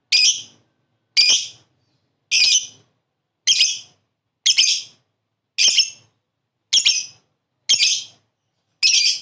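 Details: Lovebird giving harsh, high squawks, each short and rasping, spaced roughly one second apart in a regular series with silence between.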